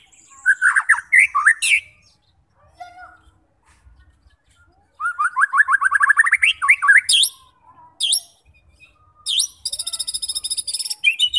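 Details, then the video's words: Varied song of a white-rumped shama meant to provoke fighter birds into singing and displaying mimicry: rapid rising trills and whistles, a quiet pause, then fast chattering runs, sharp chirps and a long buzzy high rattle. "90% Cocok untuk memancing SEMUA jenis Murai batu FIGHTER, GACOR dan BONGKAR Isian"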